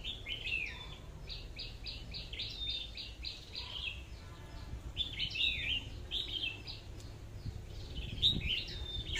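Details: Red-whiskered bulbul, a caged decoy bird sold as one of a pair, pours out a rapid run of chirpy whistled notes, then pauses before further warbling phrases, with low hum behind.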